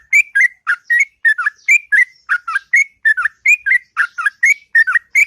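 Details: Sooty-headed bulbul singing in the morning, a long, sweet, continuous run of short whistled, bubbling notes, about one every third of a second, with clean, loud delivery and no other sounds.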